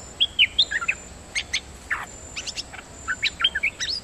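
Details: Dok taeng bird decoy song, brisk phrases of bright whistled notes and twisting slurs, with a lower downward-sweeping buzzy note midway, over a steady faint hiss.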